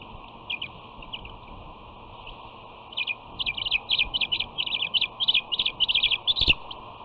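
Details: Young bald eagle at the West End nest, June 13, 2019, greeted rudely by her sister, who pins her wing with a foot and nips it; rapid squealing chittering notes in bursts, quickening after three seconds, over steady broadband hiss.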